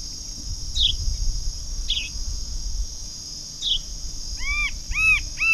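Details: Rufous-capped antshrike recorded 10 January 2009, giving three nasal, arched notes in quick succession near the end, with scattered high chirps and a steady shrill insect drone throughout.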